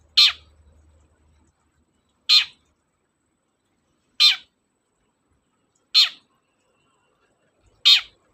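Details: Long-tailed shrike, a lure recording played to prompt reluctant shrikes to sing: five loud, rasping, broadband squawks spaced about two seconds apart, each short and dropping at the end, in an otherwise quiet background.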